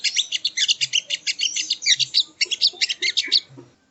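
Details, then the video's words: Sogon, known as sogo ontong, heard as training audio: continuous high, buzzy chittering notes delivered in a quick regular rhythm, tailing off near the end. "Masteran Burung Sogon ( Sogo Ontong )"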